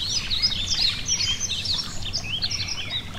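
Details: Yellow-throated bunting beside a gentle stream: a rapid, unbroken stream of thin, high chirps and downward-slurred whistles for about three seconds, with the soft rush of water below.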